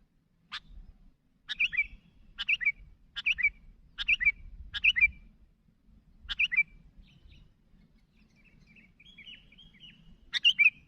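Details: Sooty-headed bulbul calling to others, repeating short bubbly chirps roughly every second, then soft thin warbled notes before a final louder burst; faint low rumble throughout.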